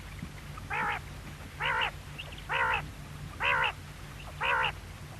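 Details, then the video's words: Quail uttering five nasal, buzzy harmonic notes, each about a quarter second long, evenly repeated roughly every 0.9 seconds, with steady low hum behind. "Quail sound|Batair ki awaz|bedana ovozi|бөдөнө үнү|перепелиный звук|بٹیر کی آواز"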